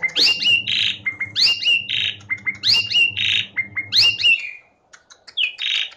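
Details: Jalak suren, the Asian pied starling, sings a gacor training song meant to coax reluctant birds into singing: a looping phrase of rising whistles and harsh buzzy bursts repeats about every second, over a low hum that stops near the end.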